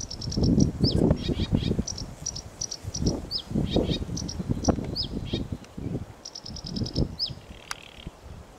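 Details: Sedge warbler song with rapid dry ticking series alternating with sharp downslurred notes in an irregular chattering run, accompanied by strong low gusty rumble throughout.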